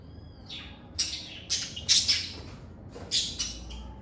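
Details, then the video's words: Lovebirds singing and chirping in a calm environment: a short whistled tone opens, then a run of loud, harsh high chirps in quick irregular bursts, with a steady low hum behind. "Lovebird Singing & Chirping Sounds"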